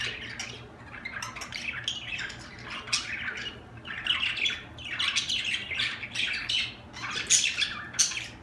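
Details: Budgerigars chirping in a busy, continuous warble of squawks and short twittering notes, with bursts of louder sharp chirps every second or so.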